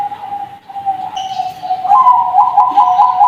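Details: Young Bangkok zebra doves from a bird farm hold a long, even, low coo that turns into a slightly higher, quickly pulsing rolled trill in the last second.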